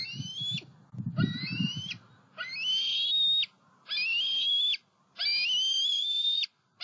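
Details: Bald eagle juveniles out flying between nest, pond and snag in Southwest Florida on 5 July 2020; a series of five drawn-out, high whistled squeals, each gently rising then breaking off, with a low rumble early on.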